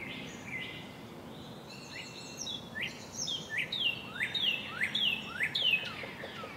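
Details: Feeding time at a robin nest with nestlings: quiet opening, then a burst of high rising squeaks and sliding downward chirps that speed up and grow louder toward the end.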